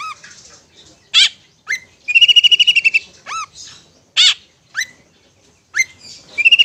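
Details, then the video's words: Long-tailed shrike, ngetet song used to stimulate stressed or mute shrikes: sparse sharp whistles and curved slurs separated by pauses, with a buzzy rattling trill in the middle and another at the close. "Terapi Suara Cendet NGETET untuk pancingan Cendet STRESS dan BISU"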